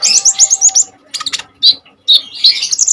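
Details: Common iora singing intensely with bursts, a recording meant to lure and train young kolibri ninja birds: a rapid run of high, twisting chirps, then separate sharp notes and a closing fast warbling phrase.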